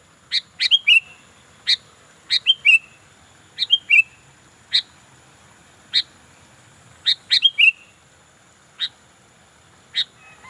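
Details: Sooty-headed bulbul in lively full song, a string of short bright chirps with several quick downslurred whistled phrases, notes coming in loose bursts over about ten seconds against a quiet background.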